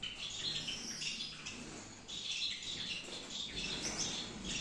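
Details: Gouldian finches kept for breeding in a Peshawar aviary, producing a steady wash of high tweeting calls with a brief dip before the chatter resumes.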